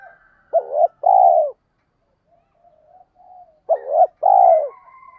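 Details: Spotted dove lure call in the 'tiếng thúc' style for drawing wild birds. Two clear phrases, each a short curving coo then a longer falling coo, separated by a quiet gap with soft low murmuring notes.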